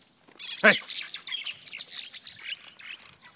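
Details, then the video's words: Mynas scrapping in a big outdoor fight: a sharp burst of noise, then a tangle of quick, scratchy chirps and squawks from several birds calling at once. "Myna Bird Scrap"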